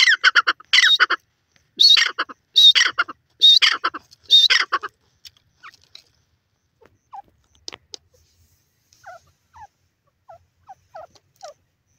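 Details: Francolin (teetar) calls, with five loud, harsh, rasping phrases of clipped notes over the first five seconds, then near silence broken only by a few faint, distant chirps.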